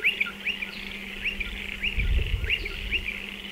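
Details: Around burrows dug into a dry stone wall, striated pardalotes repeat short, high, hooked chirps in pairs roughly twice a second. A low rumble swells briefly halfway through, and a faint hum runs beneath.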